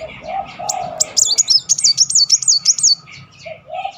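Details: Short burst of 'nembak' song from a Van Hasselt's sunbird, a lure recording for stalled birds. One high, rapid, zigzag trill of about two seconds, framed by softer chips and low cooing notes.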